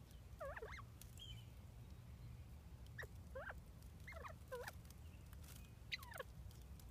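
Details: Captive bobwhite quail just settled into new housing chatter in soft clusters of wavering, down-slurred notes, several in quick succession, separated by pauses, over a steady low rumble.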